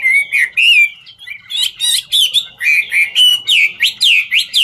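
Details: Chinese hwamei, 'ngũ trường' song style, sings while dancing: clear sliding whistles followed by a rapid sequence of sharp, downslurred notes with buzzy overtones, about two per second.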